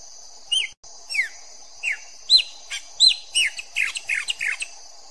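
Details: Chopi blackbird song: a series of clear whistled notes, many sliding downward, given in quick succession with short gaps, over a steady high hiss.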